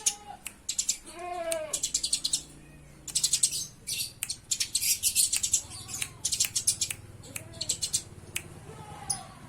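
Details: Eurasian tree sparrow fight with fast, high, scratchy chirps repeated in tight bursts, alternating with a few lower, bending calls and a soft background hum.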